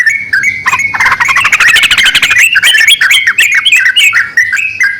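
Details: Male and female yellow-vented bulbul calling back and forth: bubbly, chattering notes that leap between pitches, rising into a dense burst of rapid clicks near the middle, then stepping through clear fluttering phrases, with a faint low hum beneath.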